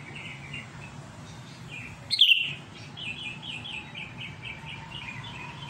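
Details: Sooty-headed bulbul singing eagerly in challenge to a rival. One loud, quick bubbly phrase falling in pitch, while fainter repeated chirping from other birds runs through the background.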